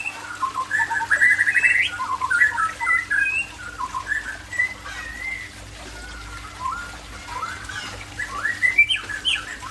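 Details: White-rumped shama of the Aceh type (Murai Aceh) singing a varied run of clear whistled phrases, some rising and some falling, with fast trilled notes mixed in and a brief quiet pause midway; a steady low hum runs underneath.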